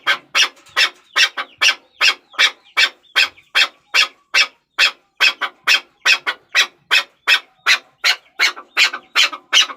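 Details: Chukar partridge delivering a long run of loud, coarse clucks, quick and regular at two to three per second, each note short and broad.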